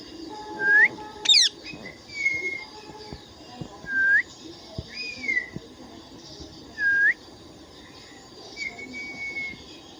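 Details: Indian ringneck parrot making a series of clear whistled notes, some rising and some flat, spaced a second or two apart, with a brief sharp high squeak early on.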